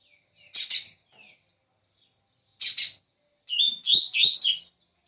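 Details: Double-collared Seedeater singing in a cage on its perch: two separate pairs of rasping buzzy notes, followed by a short, lively run of squeaky whistled notes that jump up and down in pitch.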